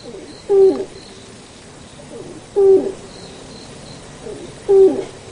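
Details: Three deep hooting notes from a Malayan night heron, each about a third of a second long with a falling tail, repeated every two seconds. Faint high bird chirps sound in the background.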